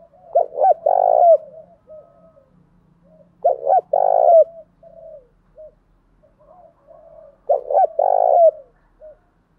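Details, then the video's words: Spotted dove used as a decoy, calling to goad a wild dove to fight. Three loud, rolling coo phrases come about every three and a half seconds, with soft murmured coos filling the gaps. "Chim cu gáy mồi thúc đấu cực căng, kích thích chim cu đất bổi với mồi gáy theo"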